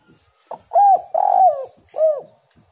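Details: Spotted dove song, played as a lure to make other spotted doves sing: a soft short note, then two loud, mellow, arched coos, the second long and sliding down, and a final rounded coo after a pause; quiet background.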